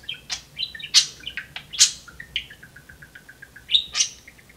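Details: Pet budgerigars at play on cage perches, one described as talking and saying "Hey Siri". Sharp high chirps and scratchy warbles come in uneven clusters, with softer repeated ticks trailing off near the end.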